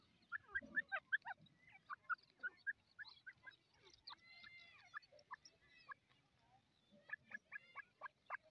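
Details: Dakni teetar, or grey francolin, delivering rapid runs of sharp repeated notes, several a second, pausing mid-way for a smooth drawn whistle, then resuming in a fast even series of clipped calls.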